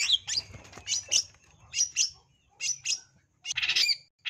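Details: Long-tailed shrike lure song used to provoke fighting display: harsh, grating bursts and squawky chirps in uneven clusters, ending in a loud rasping chatter, over low background rumble.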